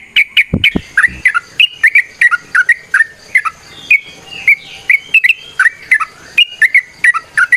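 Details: Sooty-headed bulbul giving steady gacor song used as a training lure: evenly paced short whistled phrases, each a quick falling or rising note with a click, continuing throughout, with a couple of loud knocks early on.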